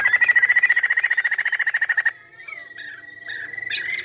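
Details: Chinese hwamei in vigorous, long-running song: a fast rattling train of about thirty even, clear notes lasting two seconds, then a quieter run of slurred whistles and a sustained whistled tone that swells again at the end.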